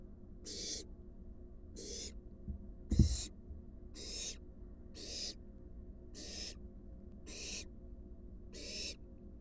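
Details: Eight rhythmic, rasping hisses from a wild barn owl nest box, spaced a little over a second apart, as an adult brings a large rat to its fledgling. A knock sounds near the third hiss.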